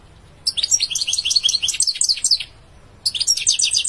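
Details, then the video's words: European goldfinch singing: fast, tinkling bursts of twittering notes high in pitch, one phrase of about two seconds, a pause, then another phrase starting; quiet background. "Beautiful goldfinch singing"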